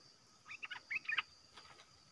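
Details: Caged red-whiskered bulbul singing against unafraid wild birds outdoors; a distant run of six or seven quick, fluty warbled notes, rising to a brighter final note, over a steady hiss and hum.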